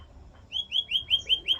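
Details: Canary phrase of six short, sweet slurred whistles repeated evenly about five per second, rising in loudness after a quiet start.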